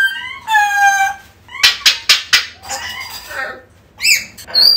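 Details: African grey parrot calling, aimed at luring a lost bird back: a long harmonic nasal note, a quick series of sharp clicks, then rough chattering calls and a final squeaky rising note.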